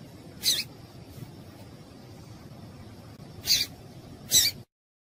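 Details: Female double-collared seedeater call used to warm up males for singing tournaments: three short harsh, buzzy bursts, one early and two close together near the end, against faint hiss.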